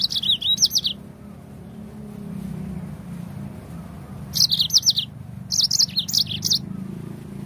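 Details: Yellow-fronted canary (Crithagra mozambica) sings high, fast trilled phrases in three short bursts, with a low rumble of distant traffic underneath; the song is used to stimulate other birds to sing.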